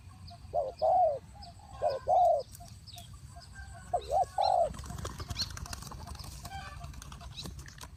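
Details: Decoy spotted dove at a bird trap cooing in paired, slightly falling notes over the first half, then a burst of wing flapping and rustling clatter, with soft chirps from small birds in the background.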